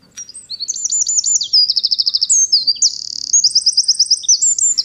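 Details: Eurasian wren song that marks territory and attracts females, a fast phrase of many notes lasting about two seconds and repeated for hours; high, rapid trills and sharp whistled notes running together without pause, no other sounds.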